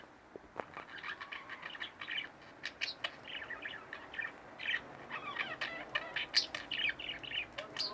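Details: Warbling chatter from a pair of pet budgerigars at home: dense quick chirps and squeaky notes tumbling one after another, with a few sharper peaks near the end.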